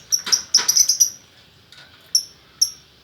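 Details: Male and female lovebird pair in Bukittinggi, West Sumatra: a burst of shrill, sharp high chirps in quick succession, a pause, then two more isolated piercing chirps.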